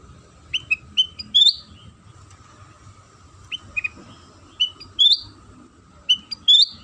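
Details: Sooty-headed bulbul song serving as a lure to get other bulbuls singing: whistled phrases of three or four notes, each ending in a rising slur, repeated roughly every two seconds.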